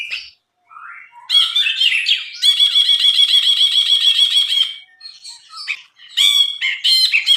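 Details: Lively Brinji (bulbul) song for tutoring: varied whistled slurs lead into a long, steady, buzzy rattling trill lasting about two seconds, followed by quieter twitters and sharp chattering bursts.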